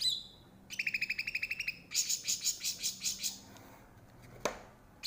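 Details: Cucak rante bulbul of Aceh's forests, kept as a tutor recording for caged birds: a rapid trill of bright pulsed notes, followed by slower, rhythmic ringing high notes and one sharp click near the end.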